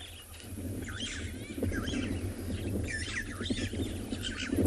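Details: Several starlings at Chitwa Dam on an African game reserve, on the afternoon of 10 September 2020, chatter with quick, squeaky, whistled notes rising and falling in overlapping bursts, as the wind picks up into a steady low rumble.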